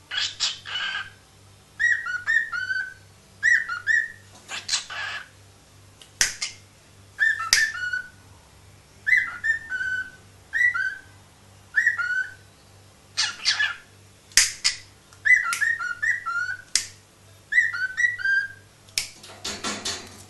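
A cockatiel sings short whistled phrases, repeated again and again, mixed with harsher scratchy notes.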